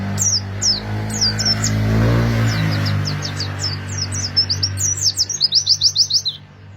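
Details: Oriental white-eye song of scattered high chirps building into a fast rolling trill, played to coax other white-eyes to sing, over a broad low drone.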